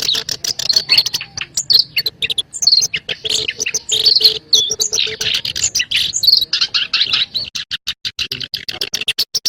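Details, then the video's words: Black-browed reed warbler lure sound for bird trapping: dense, fast chattering of high scratchy chirps and clicks, harsh notes tumbling almost without pause, with a faint steady low hum underneath. "SUARA PANCINGAN PIKAT BURUNG KERAK BASI ALIS HITAM"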